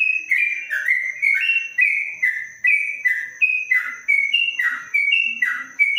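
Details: Long-phrased 'ropelan' song from a caged yellow-vented bulbul under a cage cover: rapid, continuous whistled notes swinging up and down, each phrase about half a second, over a thin steady background tone.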